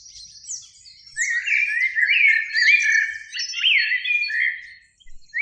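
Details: In a springtime beech tree near a lake at evening, a Eurasian blackbird, one of a pair, delivers a long warbling phrase of flute-like rising and falling whistles mixed with high, scratchy twitters.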